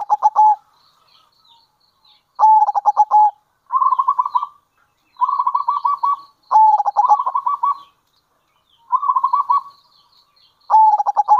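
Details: Local zebra dove with kerot and bekur cooing, used to lure others of its kind: repeated short bursts of fast, rattling coo pulses every one to two seconds, alternating sharper and smoother phrases.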